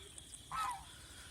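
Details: Domestic goose on a farm in Mohanganj, Netrakona, Bangladesh, eating banana plants, gives one short nasal honk lasting about a third of a second over quiet background noise.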